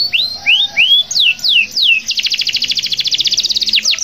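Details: Local canary singing persistently, used to prompt other canaries to sing: several slurred whistled notes, some rising and some falling, then a fast, even, buzzy trill of about thirty quick notes, ending with two sharp downslurs.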